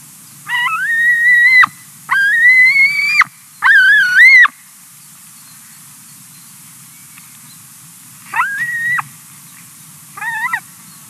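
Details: White-tailed eagle chick in Latvia, 2020, begging with drawn-out, high whistled squeals, some wavering, in bursts with pauses, as its mother finishes eating a fish; faint low hum underneath.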